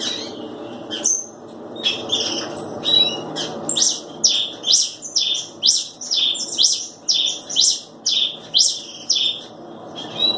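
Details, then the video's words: Red pileated finch repeating crisp high chirps roughly once a second in a long even series, with a low hum in the background. "Tico Tico rei"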